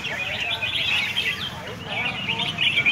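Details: During a red-whiskered bulbul singing competition in Hat Yai, Songkhla, Thailand, several birds pour out a brief burst of high, jumbled, bubbling notes over murmuring voices.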